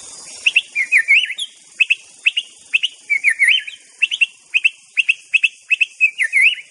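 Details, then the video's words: White-rumped shama in the wild, singing vigorously: short looping whistled notes repeated rapidly in bursts of two or three, about two phrases per second, with sharp high accents and a faint insect hum behind. "Kicau KHAS Murai BATU di ALAM LIAR GACOR Full"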